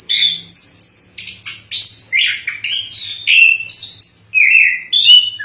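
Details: Loud, rich song of an orange-headed thrush (anis kembang) in Indonesia, delivered in bursts split by short gaps and mixing thin high whistles with fuller, lower slurred notes.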